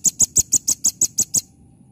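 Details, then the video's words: Velvet-fronted nuthatch singing in energetic 'gacor nembak nembak' style: nine sharp, high, ringing notes in a quick even series over about a second and a half, then quiet. "Rambatan ( R.P.M ) Gacor Full Nembak Nembak"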